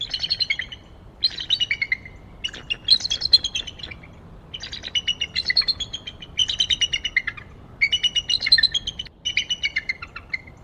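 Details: Bald eagle pair perched together on a tree at Decorah, just after 7 am on 02-11-2022, giving high, rapid chittering call bursts of harmonic piping notes, seven or eight bursts roughly every second or two, descending at the ends, over quiet background.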